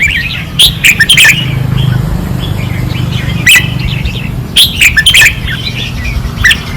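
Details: Caged red-whiskered bulbuls on a training perch in Pattani, Thailand, singing fiercely: short bright warbled phrases in bursts with pauses between, punctuated by sharp clicks, over a steady low rumbling hum.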